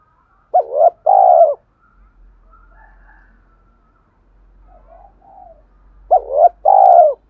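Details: Spotted dove giving a stimulating song meant to provoke decoy birds into cooing: two loud double-phrase coos, a short dipping note then a longer sustained one, opening and closing the stretch, with softer distant coos between.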